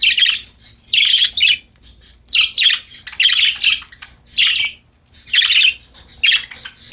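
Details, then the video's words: Several happy pet budgerigars chirping and singing while playing: harsh, buzzy chattering bursts, each about half a second long, come in quick clusters separated by short pauses, with no other sounds. "Happy Parakeets Chirping Sound"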